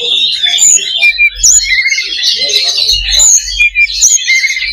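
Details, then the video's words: Fighting-spirit simulation of oriental magpie-robin (kacer) song: bright, piercing whistled notes and short trills woven into a busy, nonstop high-pitched stream, with faint low thumps beneath. "SIMULASI LOBA BURUNG KACER || MENAIKAN MENTAL TARUNG / FIGHTER"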